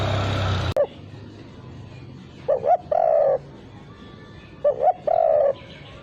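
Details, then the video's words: Spotted dove coo used as a lure, without the kuk note: after a brief loud burst, two phrases follow, each with paired short notes and a long flat coo, about two seconds apart. "Pancingan untuk Burung Tekukur tanpa KUK"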